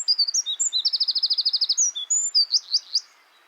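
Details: A tiny, hidden Eurasian wren in a hedge on a West Sussex countryside footpath bursts into loud, high song: sharp chipping notes run into a fast, even trill of about a dozen notes, then end in quick rising flourishes.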